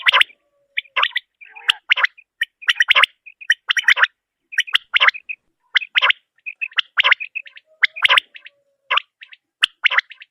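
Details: Calls of a female common quail tied to quail hunting: repeated scratchy, gargling bursts separated by small clear whistled pips, about one group per second and irregularly spaced, in otherwise quiet surroundings.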